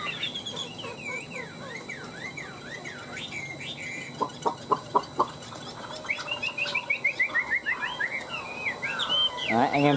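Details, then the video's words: Two tame caged Chinese hwameis, kept three years, in fighting song: rising and falling whistled notes, then a burst of short sharp rapid notes and a descending run of repeated slurred whistles, with faint background noise. "Họa mi hót đấu cánh đuôi đẹp - 2 em thuần 3 năm lồng"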